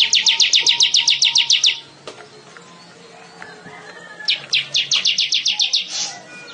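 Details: Singing weaver, lively and loud: a buzzy rattle of about twelve evenly spaced high notes, a pause with faint chips, then a second similar rattle ending in a harsh buzz.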